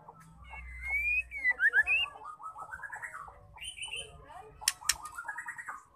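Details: Female white-rumped shama song used to bring males into song: a whistled rising phrase, then a long run of quick chattering notes, a higher whistle and sharp clicks near the end.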